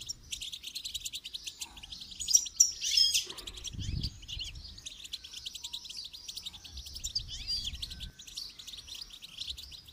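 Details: Goldfinch during song training gives fast, dense high twittering, with a louder swirling burst early on and a low thud afterward.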